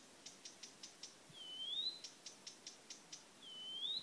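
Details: Blyth's reed warbler at Lindö udde: a series of dry, evenly spaced clicking notes, each run ending in a rising drawn-out whistle, the pattern given twice. Faint, with background hiss.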